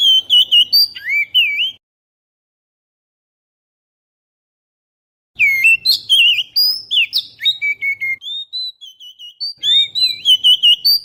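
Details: Oriental magpie-robin lure song captured with a GoPro Hero: a short warbled phrase, nearly four seconds of quiet, then a long flowing stream of varied whistles, slurs and chirps.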